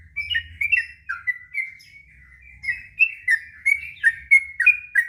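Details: Sooty-headed bulbul singing its long 'ngropel' song for training young birds: bright, warbled whistles in quick succession, some rising and some sliding down, with a faint low hum beneath the first half.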